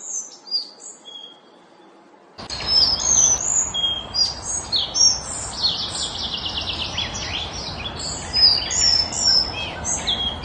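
A collared flycatcher sings high, thin, squeaky phrases of rapid chirps and whistles, coming in after a quiet start over a steady hiss of background noise.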